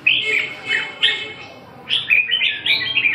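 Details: Red-whiskered bulbul giving a few short whistled notes, a brief lull, then a lively burst of rapid, warbled phrases.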